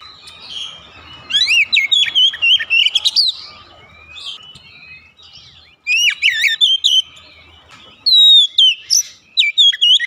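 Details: Oriental magpie-robin kept at home sings three separate bursts of rapid, varied whistles and sharp chirps, with quiet gaps between the bursts.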